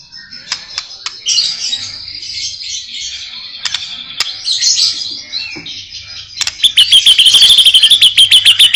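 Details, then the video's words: White-rumped shama (murai batu) delivering 'isian' song: scratchy high chatter and warbling for several seconds, then a loud, very fast run of repeated sharp notes at a steady pace. "kicau murai batu.. fuul isiaaan"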